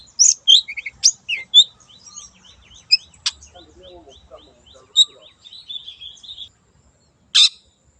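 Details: Long-tailed shrike, a wild bird, in a lure recording: a soft, rambling series of varied chirps and thin twittered phrases, a few sharp harsh notes, and lower warbled notes in the middle.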